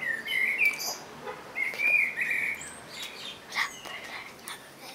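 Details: Two flowing whistled phrases from a Common blackbird within the first half, low and melodious, followed by quieter scattered notes and light background noise.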